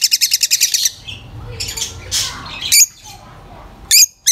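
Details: Lovebirds open with a fast buzzy chatter of rapid pulses, then fall quieter before two sharp, high chirps near the end.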